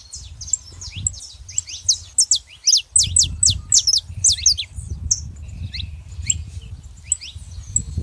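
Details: Saffron finches, female and male, singing lively bursts of high sharp downslurred chirps, densest in the middle, over low rumbling background noise.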